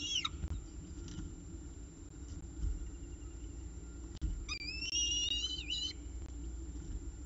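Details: Peregrine falcon at CSU Orange with its breakfast, 19 October 2018, gives a quick falling squeal, then a drawn-out, harsh whining wail lasting over a second, over a steady low rumble of wind or traffic.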